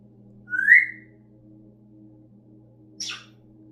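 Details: Pet parrot named Tweet, which whines like a puppy and burps, gives one rising, whiny whistle, then a short harsh burst a couple of seconds later, over a steady low household hum.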